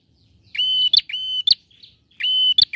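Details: A male bar-winged prinia in full song sings three loud, buzzy, high notes in under three seconds, each held steady and cut off by a sharp snapping click. The recording is used to provoke silent prinias into calling.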